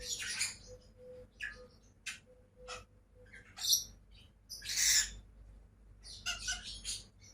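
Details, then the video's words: Two pet lovebirds calling: scattered harsh, raspy chirps and short shrill bursts at irregular intervals, separated by quiet gaps, with a faint steady low hum behind. "CİCİKUŞ SESİ----Cennet Papağanı"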